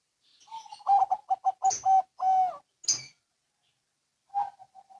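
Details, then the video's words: Local and Bangkok zebra doves answering each other, quieter and more distant: a string of low cooing notes with one longer drawn-out note, some rustling clicks, then a few faint coos at the end. "Perkutut Lokal & Bangkok Bunyi Saling Bersahutan"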